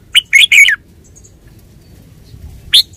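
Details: Red-whiskered bulbul giving a quick three-part warbled phrase of bright whistled notes, followed after a pause by a single sharp chirp.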